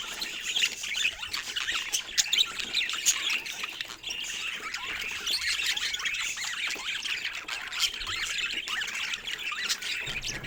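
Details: Budgerigars warbling together in a steady wash of high, scratchy chirps and squawks with no pause.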